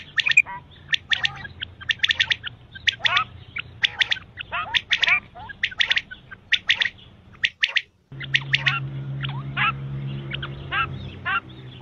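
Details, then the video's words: Quail, whose calls are described as used for night and morning, male and female, give dense, harsh squawking and chattering notes, several overlapping at an irregular fast pace, over a steady low hum with a brief cut midway. "batair ki awaz subah ke liya batair ki awaz night batair ki awaz male batair ki awaz female quails"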